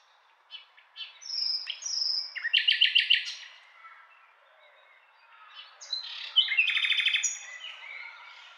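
A nightingale sings two rich phrases of clear whistles building into fast, loud, throbbing trills, separated by a brief pause. No other sounds are heard.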